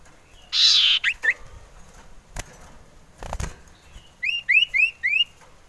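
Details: Male common iora wanting to mate, kept as a lure bird: a harsh buzzy burst and two short notes, then after knocks a series of four sharp upslurred whistles.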